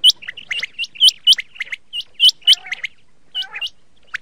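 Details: Chinga (local bird name) gives sharp, high upslurred whistles, about one each quarter-second, mixed with lower chattering notes; a 2020 recording offered as the best call for hunting chinga, possibly a quail.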